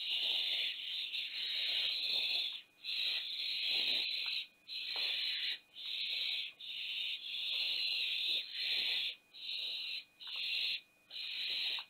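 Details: Barn owls of a nest-box family at Théding, France, recorded 20 September 2021 around the fall of the youngest owlet from the nest box. Long, harsh hissing bursts follow one another almost continuously with brief gaps, over a steady faint electrical tone.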